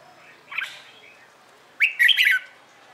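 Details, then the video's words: Red-whiskered bulbul training its competitive morning song. A soft warbled note comes first, then a loud, rich phrase of rapid looping whistles lasting about half a second. "LUYỆN CHÀO MÀO HÓT ĐẤU/ HƠN 12 P CHÀO MÀO HÓT BUỔI SÁNG"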